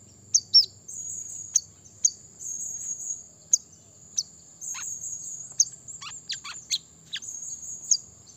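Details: Brown-throated sunbird song, a forest lure for provoking rival wild birds: sharp high chirps mixed with buzzy, rattling high trills and quick down-slurred notes, above a constant thin high-pitched whine.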